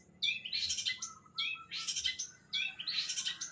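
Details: Long-tailed shrike song made of three loud, harsh, buzzy phrases, each opening with a sharp chirp and spreading into a broad scratchy rasp, spaced about a second apart in a quiet setting.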